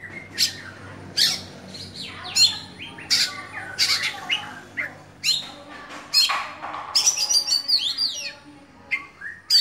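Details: Caged oriental magpie-robin kept as a songbird-contest bird, in full open song: varied bursts of shrill whistles, harsh buzzy notes and rapid chattering phrases, separated by short pauses, with a faint low hum behind.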